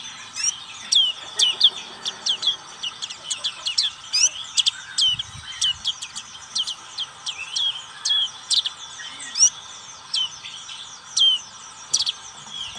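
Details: Black-capped white-eye singing a lively high chirping song, quick sharp whistled notes and short trills repeated steadily throughout, some notes dipping downward, with faint insect hum in the background.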